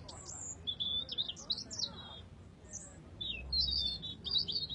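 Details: Robin, named as a red robin, pours out high, thin warbling phrases mixing pure whistled notes with fast rattling twitters and downward slurs, a short pause midway, over a low rumbling background.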